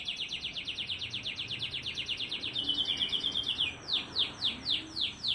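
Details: Fast, tightly packed canary song meant as a master to coax reluctant canaries into singing; a long rapid trill of falling notes, a brief sustained whistle, then slower, spaced downward sweeps.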